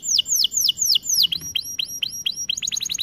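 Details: Canary training song: a series of sweeping downslurred whistles, then quicker clipped notes that speed into a rapid stutter near the end.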